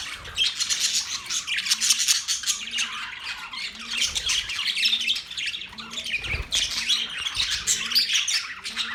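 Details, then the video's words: Budgies chirping in a lively flock-like chorus: continuous scratchy squawks and high twittering notes pile over each other, with the loudest bursts near the start and middle. "Budgies sounds"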